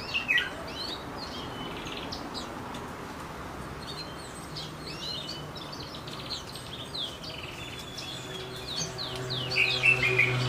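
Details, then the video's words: Goldfinch mule singing: a lively, rambling run of quick chirps, twitters and short trills, high-pitched and fairly continuous over ten seconds, with a few brighter ringing notes near the start and end over steady low background hum. "Goldfinch mule"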